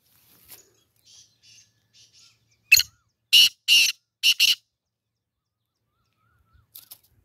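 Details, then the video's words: Black francolin call from a bird being trained for a tournament, recorded at 6:30 in the evening: a set of four loud, harsh, grating notes in quick succession after a few faint softer notes. "2 Best Voice Black Teeter"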